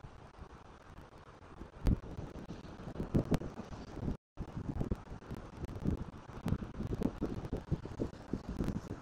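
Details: Wind buffets the microphone with low rumbling and scattered knocks, and a brief dropout breaks the sound midway.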